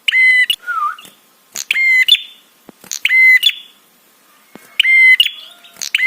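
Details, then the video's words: Prinia 'trapi' call for prompting responses and arousal in other birds: short loud buzzy bursts at irregular intervals, one low wavering note, and faint clicks in the quiet stretches. "SUARA TRAPI PRENJAK"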